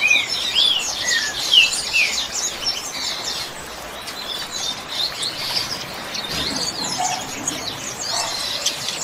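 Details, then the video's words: Double-collared seedeater singing the 'chuva' song style, used to train captive birds: a rapid, high twittering of slurred, buzzy notes in the first few seconds, then a softer, scattered chatter over a steady background hiss. "COLEIRO CANTO CHUVA"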